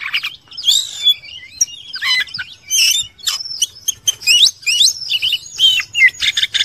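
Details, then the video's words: Oriental magpie-robin (kacer) with a masteran song of loud, separated bursts of whistles and harsh notes, each lasting about half a second with short gaps between. "MASTERAN KACER JADI FIGHTER"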